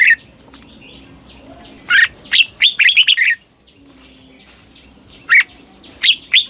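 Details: Red-whiskered bulbul in Thailand performing a southern master-style doubled song, played for young birds to copy. One rich phrase of rapid, liquid warbled notes is followed by two isolated bright notes.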